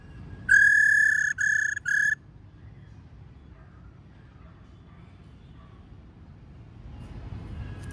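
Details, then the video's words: Female laughingthrush calling to stimulate male birds: three loud, steady, level whistles, the first longest, broken by short gaps, then quiet background with faint distant sounds. "Khướu mái rò | khướu mái ro ro kích khướu bổi cực nhạy. tiếng khuou mai ro"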